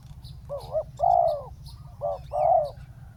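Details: Spotted dove working as a decoy on the ground to lure in a wild dove: two couplets of a brief tremulous note and a longer rich coo, about a second apart, over low background hum.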